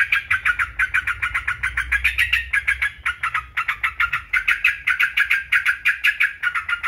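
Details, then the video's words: Unbroken stream of short, ringing notes from a yellow-vented bulbul, delivered at a fast steady pace. The recording is meant to tutor caged birds and stimulate them to sing. "TRUCUKAN,, super ISTIMEWA cocok untuk masteran pancingan PERANGSANG GACOR"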